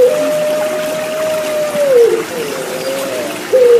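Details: Turtle dove of the Puter Pelung type, coupled with a water-trickle relaxation sound for therapy of birds gone quiet. One long, steady, pure coo that bends downward, then softer wavering notes and a louder final note.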